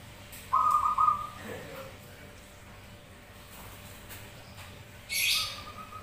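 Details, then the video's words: Zebra doves answering each other in song, used as a lure: one clear, quick, rolling coo phrase near the start, then a long quiet gap with a brief noisy rustle and a faint trace of a second phrase. "Perkutut Manggung Bersautan"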